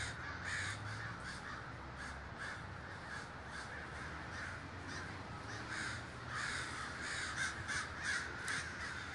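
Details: Huge communal crow gathering at Davis, California: a thick, unbroken roar of harsh caws from countless birds, with bursts of nearer, louder cawing in the second half over a low rumble.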